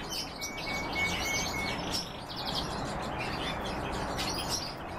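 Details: Canary and European goldfinch hybrid in song: scattered high twittering notes and short chirps, with one thin sustained whistle early on, partly buried in broad steady noise.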